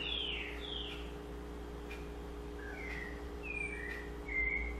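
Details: Double-collared seedeater singing sabiá-style: bright descending whistles, a pause, then further short slurred whistled notes ending in a strong high note, background hum.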